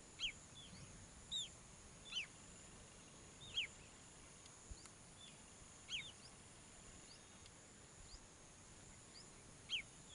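River tern giving brief, high, sharply downslurred calls at irregular intervals of one to two seconds, over a steady background hiss.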